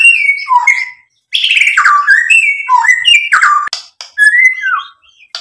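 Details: White-rumped shama singing hard to provoke a response from other birds: phrases of clear whistles, some sliding down, separated by short pauses, interspersed with crisp clicks and rattly notes; no other sounds.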